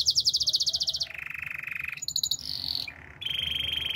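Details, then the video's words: Singing canary running through rapid tours: a bright high pulsed trill, then a lower steady buzzing roll, brief high chatter, and a final sustained vibrating trill. "Super relaxing canary birds sounds"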